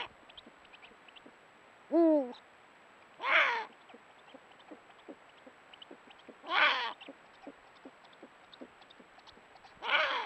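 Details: Eurasian eagle-owl (Bubo bubo hispanus) in breeding season, during courtship as the male offers a vole to the female: a brief, wavering nasal note, then three loud, harsh, rasping screeches about every three seconds, over faint background clicks and ticks.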